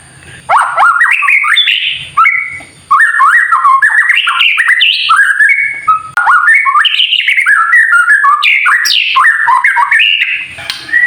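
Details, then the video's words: Extended kretekan song of a White-rumped shama, played to rouse other shamas into singing: after a quiet start with low noise, dense streams of fast, varied whistles and warbles, briefly broken by short pauses, with a thin constant high tone. "KRETEKAN murai batu TERBAIK UNTUK MEMANCING EMOSI agar burung murai menjadi GACOR"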